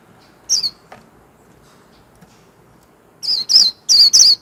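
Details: Warbling white-eye, a kept bird, giving its twittering líu hót song: a brief high wavering double note, a long pause with faint background hiss, then four bright, slurred high whistles in quick succession.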